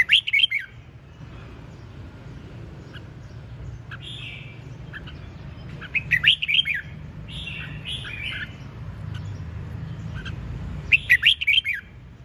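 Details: Red-whiskered bulbul delivering repeated bursts of rapid, bright whistled notes roughly every five seconds, with buzzy trilled phrases in between; continuous low hum underneath.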